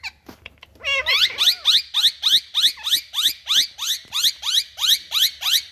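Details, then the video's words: Pet parrots in India calling back and forth: a steady train of shrill, high squeaky notes repeated roughly three times a second, each note sliding quickly, after a short opening whistle. "Sounds Mithu🎊Miya Mithuu🍃To Each Other"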